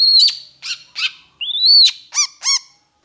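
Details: Long-tailed shrike singing with intensity: a high sharp note and two buzzy chips. A long rising whistle follows, then two rich, ringing down-curved notes in quick succession before silence.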